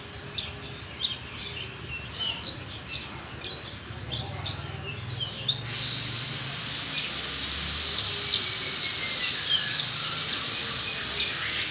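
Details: Actively singing Australasian bushlark giving a run of high, thin chirps and quick trills, phrases varied and irregular, continuing over a noisy, hissing background that grows louder midway.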